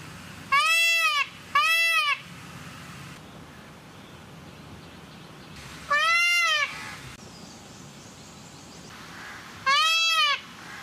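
An Indian peafowl gives four loud, nasal, wailing calls, each under a second: two close together, then two more spaced several seconds apart, over a quiet background hiss.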